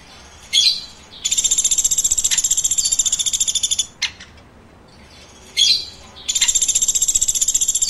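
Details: Woodpecker chirping. Two bouts, each a sharp squeaky note followed by a fast, steady stream of high, buzzy chirps lasting about two seconds, with a single click between them.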